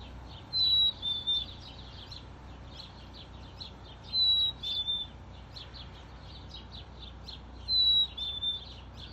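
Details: In a backyard in NW Calgary, Alberta, at 12:46 pm on 5 July 2022, a Black-capped Chickadee whistles a clear two-note fee-bee, the second note slightly lower, repeated about every four seconds over soft background bird chatter.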